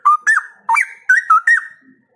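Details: Straw-headed bulbul (cucak rowo) singing energetically, a recording meant to spur other cucak rowo into open song; loud, liquid whistled notes with looping up-and-down inflections in five quick bursts over two seconds, trailing off with faint room echo.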